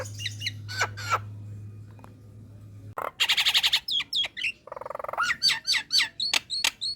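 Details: Female Nias hill myna calling to males and luring rivals, relaxed chatter: a low hum at first, then loud whistled notes, harsh buzzy squawks and rapid sharp upslurred chirps in quick succession.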